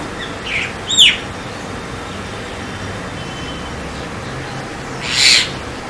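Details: A Javan (White-vented) myna, Acridotheres javanicus, gives a few short calls: a brief chirp, a sharp falling whistle, then a harsh, grating burst several seconds later, over a steady background hiss.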